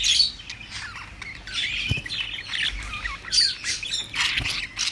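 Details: Several budgies in continuous busy chatter, overlapping warbles, squeaks and scratchy chirps packed densely throughout with barely a pause, plus an occasional soft tap.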